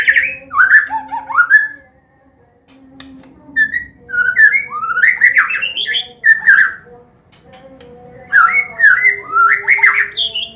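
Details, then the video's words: White-rumped shama of the Medan type singing a combination song meant to teach young birds to sing: rich whistled phrases sliding between low and high notes, in bursts with short pauses, over a steady low hum. "SUARA KOMBINASI MURAI BATU"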